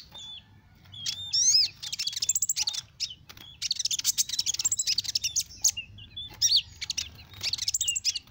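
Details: A sunbird sings in bursts of rapid, high-pitched chattering trills and thin whistled notes, with brief pauses between phrases; the song is offered as a lure for small birds.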